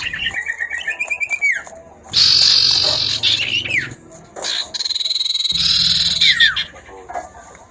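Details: Common iora male exchanging song while a female chatters: trilled whistles sliding downward, long dense buzzy chatter bursts, and further down-slurred whistles between them.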